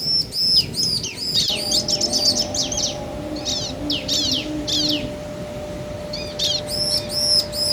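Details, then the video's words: Bar-winged prinia pair, male and female calling back and forth to provoke other birds: clusters of high, sharp chirps and trills in irregular bursts over a steady low hum. "Suara Ciblek Jantan dan Betina Saling Bersahutan - Bikin Ciblek Lain Emosi & Gacor"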